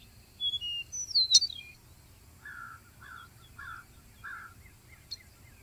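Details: Ultramarine grosbeak singing: a few high, sweet whistled notes sliding downward, followed by four lower, slurred two-part notes spaced about half a second apart, against quiet background hiss.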